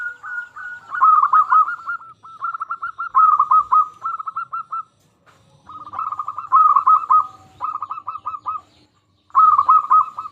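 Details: Energetic local zebra dove song for stimulating silent doves to sing. Repeated phrases of rapid, purring coo notes come in bursts of about one to two seconds, with short gaps between them.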